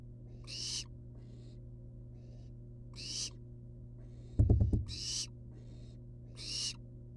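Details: Wild barn owl nestlings hanging outside their nest box, giving harsh, breathy hissing bursts about every two seconds, four in all, with a brief knocking thud midway and a steady low hum throughout.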